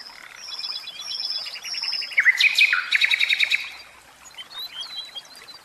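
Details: Song of a caged common nightingale: thin high whistles lead into a loud, rapid rattling trill with abrupt pitch drops, followed by softer scattered high notes.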